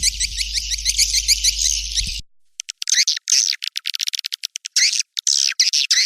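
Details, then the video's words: White-nest swiftlet calls: a run of rapid, evenly spaced high chirps over a low hum, then an abrupt cut to choppy bursts of shrill twittering separated by short silences. "SP burung walet putih"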